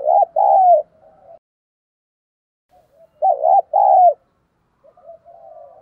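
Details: Decoy spotted dove giving thổ sấm style cooing meant to make other doves sing: two strong phrases of a short coo followed by a drawn-out falling coo, with soft purrs trailing each.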